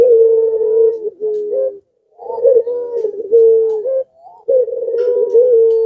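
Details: Puter dove in breeding condition, rousing other doves around it: near-continuous deep cooing, long held notes broken by short upturned notes and brief pauses.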